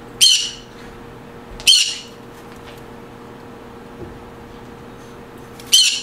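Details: Green conure uttering three sharp, raspy squawks, the first two about a second and a half apart and the last after a long pause, in a quiet room with a faint hum.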